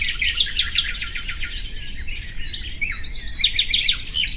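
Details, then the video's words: Common nightingale delivering quick repeated chipping notes and short trills, a brief lull midway, then sharp high notes and rolling phrases resume. "Bülbül sesi"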